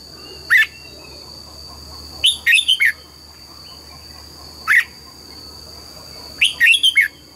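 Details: Morning song of a red-whiskered bulbul pushed to sing double-note 'già rừng' phrases: single bright whistled notes alternate with rapid three- or four-note warbled phrases, roughly every two seconds, over a constant high-pitched hum.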